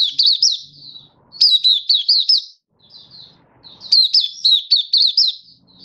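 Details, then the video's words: Malaysian white-eye, a kept songbird in open, happy singing mode in Singapore on 20 March 2023, stable warm sunny weather; rapid high twittering phrases of looping, warbled notes in bursts about a second long, separated by brief pauses. "Malaysian Mata Puteh Happy Buka Sing"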